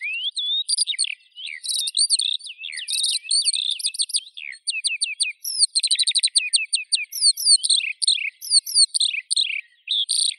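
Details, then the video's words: A Eurasian skylark pours out a continuous, high, rapid warble of trills, buzzy notes and slurred whistles with barely a pause. "Skylark Birdsong"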